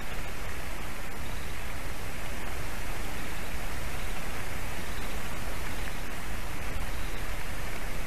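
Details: Loud, constant roaring noise like strong wind or rain across the microphone fills the whole recording, with no animal voice.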